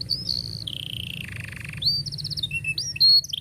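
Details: Canary song meant for young canaries learning to sing: bright whistled notes, a descending buzzy roll, then quick repeated chips and sharp high whistles over low background hum.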